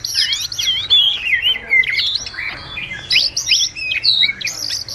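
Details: Wagtail calling to its flock, a lure sound for trapping; quick high twittering with downward-slurred whistles, then a string of short, sharp, clipped chirps in the second half.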